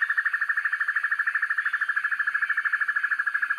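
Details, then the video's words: Dusky broadbill recorded as a master track for training birds: a rapid, very regular trill of buzzy pulses on a single pitch lasting the full three and a half seconds. "Sempur-Hujan Rimba: Penampilannya Garang, Suaranya Sangar Untuk Masteran"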